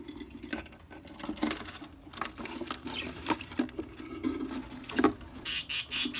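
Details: Budgerigar chicks in a nest box and an angry mother give scratchy, chattering calls, with rustling and a few sharp squawks.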